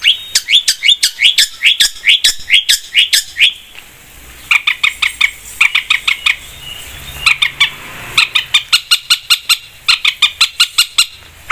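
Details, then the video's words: Energetic long-tailed shrike song, used as a lure to get other birds singing: long runs of sharp, scratchy notes rattled off about three per second, broken by brief pauses, with a quiet low rumble in between. "PANCINGAN BURUNG CENDET GACOR 100%"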